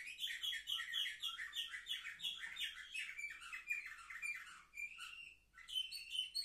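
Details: Seven-month-old young canaries, filmed 10 November 2023, deliver a fast, continuous twittering song. Quick chirped syllables run into short trills and a few sustained whistled notes near the end.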